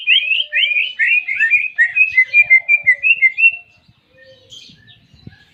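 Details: Greater green leafbird singing a clean canary-imitation song: fast, tumbling run of rising chirped whistles lasting over three seconds, then fading to soft scattered notes and faint low knocks.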